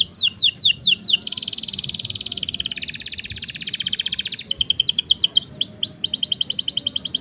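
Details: Canary song for tutoring and prompting stalled or young canaries: quick sweeping chips open into a long, even, shimmering trill of about three seconds, then a burst of rapid notes and looping downward whistles.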